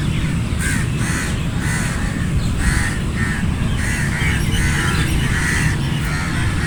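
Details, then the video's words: Several crows calling together, hoarse caws coming in bursts of two or three with short gaps, heard through a heavy, constant low roar of background noise. "Flock of Crows cawing sound effect | Crow Caw Sound Effect Naturally"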